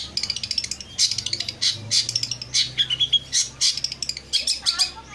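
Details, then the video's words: Long-tailed shrike song used as a lure to get shrikes that rarely sing or are stressed to answer and sing; dense, scratchy chattering of rapid high notes in quick bursts, with a faint low hum underneath. "pancingan burung pentet yang susah bunyi atau stres dengerin ini langsung nyaut gacor"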